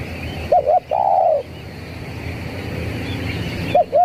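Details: Zebra dove lure call, 'kuk 3' style: a double short hoot and a long drawn coo, then a quiet pause with low hum before the next pair of hoots begins.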